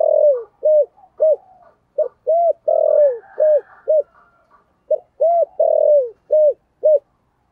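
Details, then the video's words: Loud 'gáy gọi' calling coo of a spotted dove with a 'thổ sấm' voice: a steady run of low, hollow coo notes, roughly two per second, some drawn out and falling at the end, in short phrases with brief pauses. "cu gáy giọng thổ sấm gáy gọi cực đỉnh vang cả xóm"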